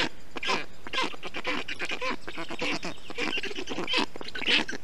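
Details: Black stork nestlings in Estonia, June 2021, calling in a changed way once a parent has cooled the hot nest with water, moss and wet grass; grating, buzzy calls in quick irregular series over a steady background hiss.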